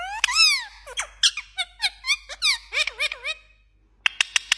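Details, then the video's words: A talking pet parrot, said to speak Pashto, mimics mobile phone ringtones and message alert sounds: a rapid string of squeaky whistled notes with rising and falling sweeps, ending in four quick sharp chirps. "parrot so Cute New phashto Talking"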